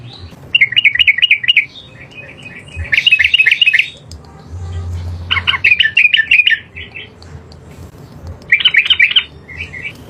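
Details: Yellow-vented bulbul in the wild, singing loudly: bursts of fast, rattling, bubbly trilled phrases about a second long, separated by pauses of one to two seconds, over a faint low rumble.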